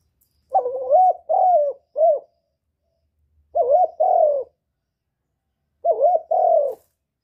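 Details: Spotted dove cooing, recorded for stimulating birds: three phrases of low, mellow coos, each a short note followed by a longer wavering coo and sometimes a clipped final note, spaced about two and a half seconds apart in a quiet setting.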